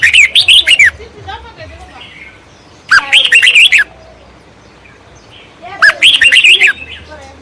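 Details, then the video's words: Baya weavers chirping at their nests: three bursts of high, rapid, scratchy chattering notes, each lasting under a second, about three seconds apart, with quiet pauses between and faint low rumble underneath. "বাবুই পাখির বাসা এবং কিচিমিচি শব্দ"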